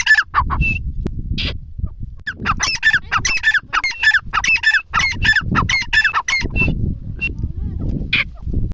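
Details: Grey francolin calling in Dera Ghazi Khan, Pakistan: a lively series of loud, harmonic, ringing notes repeated in quick succession for several seconds. A steady low rumbling noise runs underneath, with a few scattered shorter notes before and after the run.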